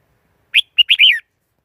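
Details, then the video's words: Short, cheerful Red-whiskered bulbul song phrase: a crisp rising note, a quick clipped chirp, then a fluty, rolling whistle that arches and falls away, in a quiet setting. "Tiếng chim chào mào"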